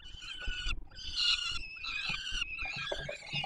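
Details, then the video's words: Peregrine falcon nestlings on the Palace of Culture and Science in Warsaw, Poland, calling during a feeding on 7 July 2022. Strained, nasal wailing comes in three drawn-out bursts, the last breaking into choppier notes, with faint low noise beneath. "Franek karmi maluchy"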